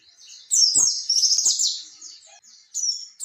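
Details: Oriental white-eye in the ngalas ngerol singing style, used to bait young birds to reply: a dense, high, trilling warble lasting about a second and a half, fading out, then a short final burst.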